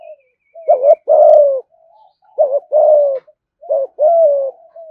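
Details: Thúc gù cooing from a caged spotted dove kept as an ornamental bird: three evenly delivered phrases, each a brief two-part note followed by a longer, mellow, falling coo, with soft low notes trailing between them.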